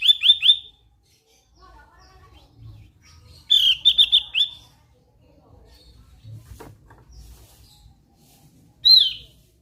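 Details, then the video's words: Javan grey-throated white-eye, the opior Jawa, in full voice: short rapid bursts of four or five high, ringing notes repeated after pauses, ending with a single loud downslurred note, over faint low hum. "SUARA NYENTRIK BURUNG OPIOR JAWA GACOR"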